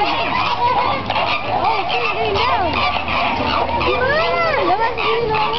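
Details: Captive flamingo flock at Sea World in San Diego, many birds honking at once: harsh nasal honks and wavering arched notes overlap in a steady loud din, with a faint low hum beneath.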